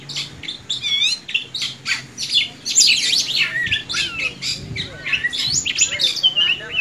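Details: White-rumped shama singing vigorously: dense high chattering phrases, rapid sweeping whistles and scratchy notes in quick succession, with a low hum underneath.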